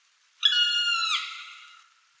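A Black woodpecker gives one drawn-out, plaintive whistled call lasting over a second. It dips in pitch near the end and fades away against a quiet background.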